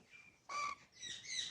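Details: Pet Alexandrine parakeet, possibly feeling cold, refusing to come when called: a loud, harsh squawk with strong harmonics, then a second raspy, rising screech; a faint tone comes before it.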